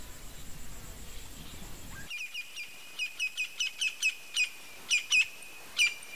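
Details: Campo flicker (Colaptes campestris) calling: after two seconds of faint rumbling background, about ten sharp, loud notes with a ringing quality, spaced irregularly every third to half second.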